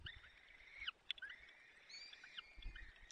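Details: At a Peregrine falcon nest in Poland's Barycz Valley on 30 April 2020, the male feeds the chicks torn bites of prey; two quiet, drawn-out harmonic wails are separated by a brief click, over low rumbling.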